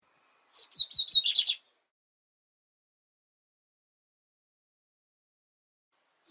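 A Lined Seedeater gives a quick, bright burst of high twittering notes lasting about a second. Long silence follows, broken by one faint note at the end.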